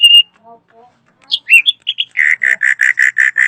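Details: Loud drongo (srigunting) song: a short clear whistle, soft low notes, then sharp upslurs leading into a quick, evenly spaced run of repeated buzzy notes.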